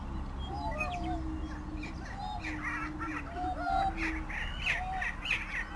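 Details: Greater prairie chickens: a low humming boom continues throughout while scattered whoops and short cackling notes rise and fall from several birds.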